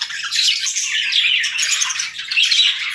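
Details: Steady, rasping chatter from a pet parrot in the morning, one unbroken stream of gritty, high squawks that rise and fall slightly in loudness over three seconds.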